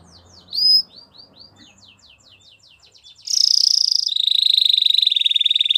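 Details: Belgian canary song for training young canaries, starting with soft quick downslurred notes and a faint rattle, then breaking into a loud, sustained, even high trill for the last half.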